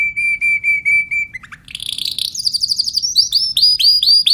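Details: Timbrado canary singing: several clear, evenly spaced whistled notes, then a rapid rising rattle and a run of upward-sweeping chirps repeated about twice per second.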